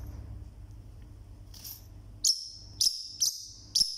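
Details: Lone pet Forpus parrotlet, loud for a single bird, giving four piercing high chirps in the second half after a quiet start with low background hum.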